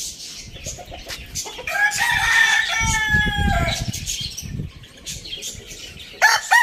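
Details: Rooster crowing in the morning: a loud, drawn-out harmonic crow rising then holding steady for about two seconds, with scattered clucks and chirps from other fowl before and after.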